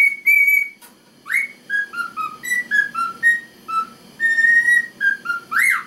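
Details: Male cockatiel singing the Chocobo theme to an indifferent female. Opens with a long held whistle, then a rising squeak leads into a descending run of short whistled notes, a sustained tone, and a final upward swoop; a faint murmur lies beneath.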